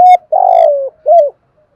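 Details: Spotted dove cooing in a fast local 'kích bổi' style: a short clear note, a long rough throbbing coo sliding down, then a clean arched note, all around a steady low pitch.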